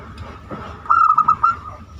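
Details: Zebra dove in banyumili song style, used as a singing lure: one short, clear run of four or five rapid cooing notes after a quiet start.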